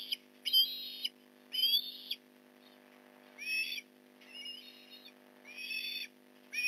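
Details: Osprey at the Port Lincoln nest as fish is delivered, 8:24 in the morning, November 2019: a series of short, high, piercing squealed notes in irregular bursts, some sliding upward, with quiet gaps between.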